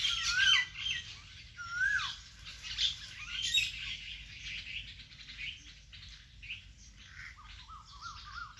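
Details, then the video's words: Several birds chirping in a vegetable garden, with two clear downslurred whistles near the start and a quick series of short rising-falling notes toward the end, amid a busy layer of high twittering. "vegetable Garden and natural bird sound"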